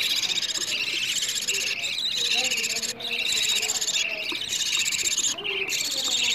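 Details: Budgie chicks begging for food, a playback to encourage mating and egg laying: loud, unbroken wall of raspy, pulsing buzzes from several chicks, with only short gaps.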